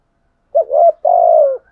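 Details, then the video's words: Single phrase from a spotted dove with a 'thổ sấm' voice, urging wild doves to reply. A brief wavering rising note leads into a long, even, gently falling coo, clean and close. "tiếng chim cu gáy thúc gù bổi nghe phải gáy theo luân"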